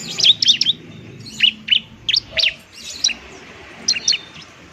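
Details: Bar-winged prinia in fighting mood, used to lure and prompt lazy birds to sing: scattered high, sharp chirps, some paired, with quiet spaces between.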